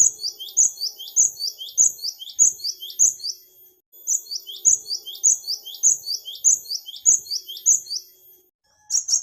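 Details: Great tit song, used to lure wild birds: high, clear two-note phrases repeated steadily about a hundred times a minute in long runs, with one brief pause before the series resumes, against a quiet background.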